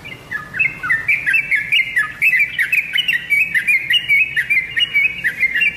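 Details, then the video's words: Yellow-vented bulbul song meant to draw answers from kept birds: a lively, continuous string of bright, flicking chirps in short rhythmic bursts. "BURUNG TRUCUKAN ANDA PASTI LANGSUNG NYAUT DENGAN SUARA PANCINGAN INI"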